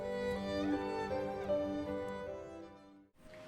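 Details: Sustained orchestral string music with gliding violin notes fading out, with no animal sound.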